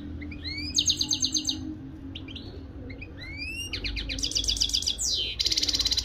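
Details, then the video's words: European goldfinch, local bird from Morocco, in song: rising whistled slurs lead into quick rattling trills and dense buzzy phrases, ending in a harsh fluttering burst, against a low steady hum. "مقنين حسون بلدي"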